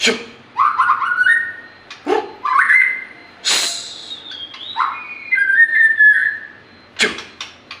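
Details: Singing white-rumped shama delivers upward-sweeping whistles in short phrases, punctuated by loud sharp clicks and rasping bursts, with a wavering mid-pitched whistled passage toward the end.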